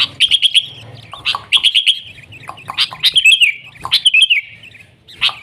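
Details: Wild sooty-headed bulbul singing busily in the nggaruda style: quick bursts of high chirps mixed with sharp calls and short chattering phrases, over a faint low hum.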